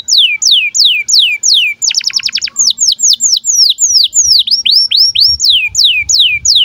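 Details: Canary in breeding condition singing birahi chirps as tutor song for young birds: repeated high downslurred whistles about three per second, broken by a fast buzzy trill, then more falling and rising notes.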